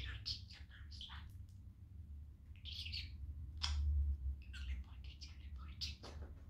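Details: Talking pet budgie, male, having fun on a sunny day with his family; scratchy chirps and short chattered phrases in loose clusters, one louder burst mid-clip, low hum throughout.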